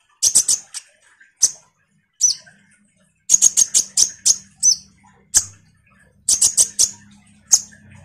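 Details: A common iora giving vigorous song as a lure for ninja sunbirds. Sharp high chips come in quick triplets and clusters, separated by short silences.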